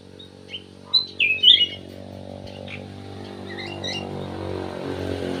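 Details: Cucak emas (ruby-throated bulbul) sings a short burst of sharp, bright whistled notes early on, then fainter chirps as a steady low mechanical hum rises and dominates.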